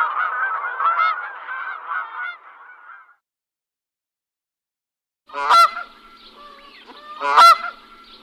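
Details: Noisy goose calls: a dense stretch of rough, nasal chattering honks fading out, a silent gap, then two separate strong, abrupt honks roughly two seconds apart over softer background calling.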